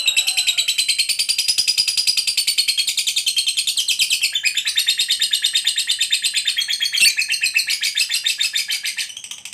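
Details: Lovebird fighter bird, a competition lovebird, giving its prized long ngekek trill: a continuous, rapid, buzzy chattering run of high notes lasting the whole stretch, steady and unbroken, shifting pitch slightly midway.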